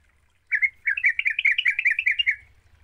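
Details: Yellow-vented bulbul used as a lure to make a silent bird sing: one quick, bubbly, warbled phrase of about a dozen liquid notes lasting two seconds, over a faint low hum.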